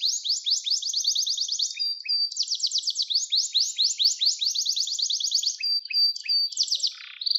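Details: Gloster canary singing in a recording for training young canaries: long continuous rapid sweeping trills broken by short whistled notes and a low buzzy note near the end.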